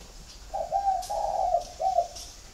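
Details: Spotted dove kept with a flock in Ba Vì district, Hanoi, Vietnam: one soft three-note coo, the long middle note slightly quavering, amid faint clicks and background hiss.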